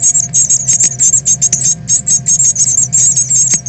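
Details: Fledgling Northern cardinals at nest-leaving time, 13 August 2020, on a live stream: loud, rapid, very high chips and squeaks packed in continuous runs, with a faint low hum underneath and a few clicks.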